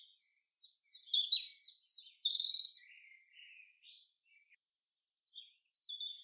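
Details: Common chaffinch singing in a forest: a bright, high phrase of quick notes tumbling downward in pitch over about three seconds, followed by softer scattered chips and a short quiet gap.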